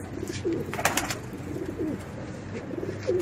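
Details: Racing pigeons kept with children give low, soft cooing notes at intervals, with handling noises and knocks between them.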